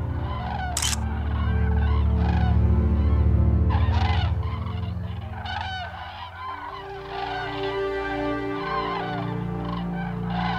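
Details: Migrating cranes flying overhead, a chorus of bugling calls in bursts of overlapping notes, a low sustained hum running beneath, a short sharp noise near the start.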